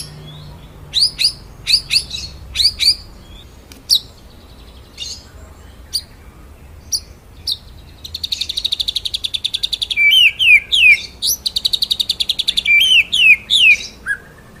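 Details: White-rumped shama song used as a master for training birds: spaced sharp chips, then long rapid buzzy trills broken by looping whistled phrases near the end.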